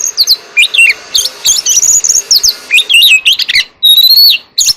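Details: Oriental magpie-robin contest song: rapid run of varied whistles, slurred up-and-down notes and rising clear whistles, delivered almost continuously over a faint background hiss.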